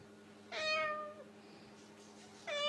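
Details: A cockatoo mimicking a cat's meow while mingling with kittens: a drawn-out, cat-like meow falling slightly at the end, then another begins; faint steady hum underneath.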